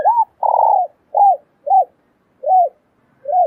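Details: Female spotted dove calling to stimulate a male to coo: six soft, hollow coo notes, each briefly rising then falling, spaced roughly half a second apart, the second note longer and flatter, with a quiet, clean background.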